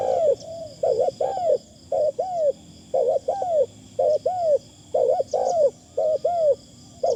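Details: Decoy Spotted Dove calling with a thin, light phrasing: paired low arched coos, each rising then falling, repeated in quick doublets about every second, with a steady faint high whine running through the background.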